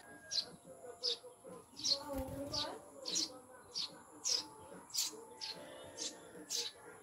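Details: Caged Eurasian tree sparrows, newly kept pets called maya and described as mountain birds; a dozen thin, high chirps spaced under a second apart, with faint low voices or music behind.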